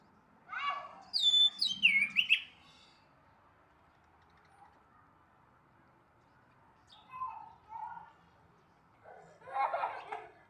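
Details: Orange-headed thrush in the morning giving one clear phrase of sharp, descending whistled notes mixed with chattering, followed by softer, lower, slurred phrases after a long pause.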